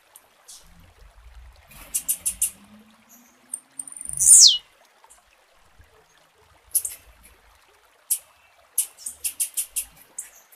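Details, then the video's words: Blue-black grassquit female calling to prompt a male's song: bursts of sharp, very high tiny chirps, a loud descending whistled sweep in the middle, then more rapid chirp series toward the end. "ESTIMULE O CANTO DO SEU TIZIU COM ESSE PIADO DE FÊMEA"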